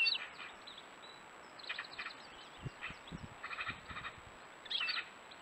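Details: Jay recorded on 1 April 2022: several harsh, raspy bursts in quick clusters across the clip, fairly faint, with scattered low thumps and background noise.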